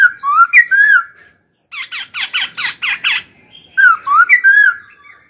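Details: Captive laughingthrush singing while being stimulated: rich slurred whistles, a harsh, rapid burst of broad raspy notes, then more fluting whistled phrases.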